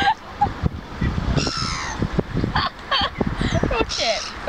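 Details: Seagull attacking other seagulls on Cleethorpes front, neck drawn in; scattered harsh, honking yelps rise and fall, several overlapping near the end, amid human chatter and background noise.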